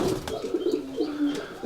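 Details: Rajshahi Giribaj pigeons at a pigeon farm in Bangladesh, giving low, soft cooing notes that keep returning through the short stretch, with faint higher chirps and small room noises behind.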